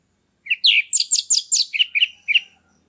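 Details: Orange-headed thrush as a captive lure singer to bring a stalled bird into breeding readiness. It gives a rapid run of bright, chirping notes, high and dense in the middle, then three lower clipped notes at the end. The setting is quiet.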